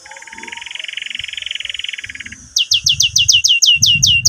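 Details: Canary chirping used to stimulate young canaries to learn song and as therapy for canaries that stopped singing; a rapid buzzy trill lasting two and a half seconds gives way to about ten sharp descending chirps in quick succession, with faint low rumbling behind.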